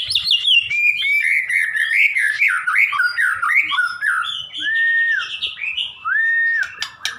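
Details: Murai, a white-rumped shama, sings a rich varied song: rapid whistled phrases and warbling notes, then two long sustained whistles near the end.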